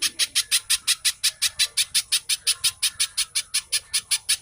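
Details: Little spiderhunter song played to stimulate caged birds and teach songbirds: bright, high, staccato notes repeated briskly and evenly, around twenty-four in four seconds, with no other clear sounds.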